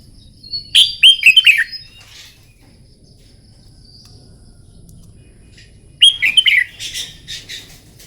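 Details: Red-whiskered bulbul singing in the morning, trained for song contests: two bright, rapid phrases of slurred whistled notes about five seconds apart, each under a second long, with quiet pauses between.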